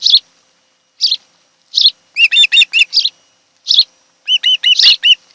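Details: Osprey pair at their nest on Kent Island, Maryland, filmed by a nest camera on a July 2018 afternoon: short sharp chirps spaced about a second apart, then quick runs of four or five clear upslurred whistled notes.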